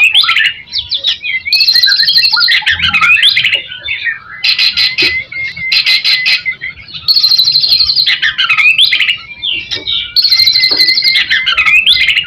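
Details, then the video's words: White-rumped shama in full song, played to stimulate other shamas: complex looping whistled phrases about every three seconds, each with dense buzzy bursts, separated by shorter quieter notes. "MURAI BATU GACOR Ampuh buat pancingan"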